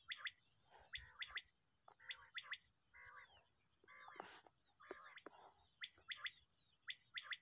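Common quail giving quick, liquid three-note phrases, repeated every second or so, mixed with harsher chattering notes from other birds and a brief rustling burst.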